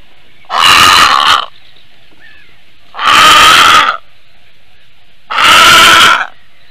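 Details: Female Eurasian bittern in Latvia, 9:25 AM on 7 May 2022, reacting to an unidentified aerial threat: three loud, harsh, rasping calls, each about a second long, spaced roughly 2.4 seconds apart over a quiet, steady background hum.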